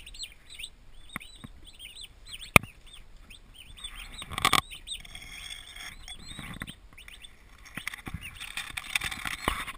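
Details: Twenty newly arrived turkey poults, healthy and active, in a farm nursery: a chorus of thin, arched, whistled peeps repeating constantly, broken by sharp clicks and a burst of rustling clatter near the middle and end.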